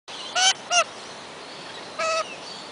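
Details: Wild lorikeets in their own forest at Kioloa, Australia: two quick harsh, nasal screeches close together, then a third longer rasping call after a pause, over a steady hiss of background noise.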